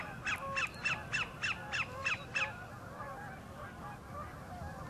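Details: Sandpiper courting a mate at the north end of Horicon Marsh gives eight rapid, falling chip notes in a regular series, then falls silent, leaving faint calls of other birds and low background noise.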